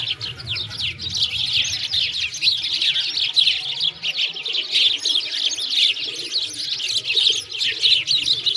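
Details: A flock of sparrows chatters nonstop in a winter park by a frozen lake in Moscow, many bright, overlapping chirps at a busy, uneven pace, with a faint low rumble of footsteps early on.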